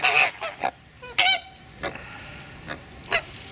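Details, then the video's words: Greater flamingos squabbling over the best nest sites at the start of the breeding season, jabbing with their bills, give harsh, nasal goose-like honks in overlapping bursts, then scattered single calls about every second over the colony murmur. "Aggressive Rosaflamingos"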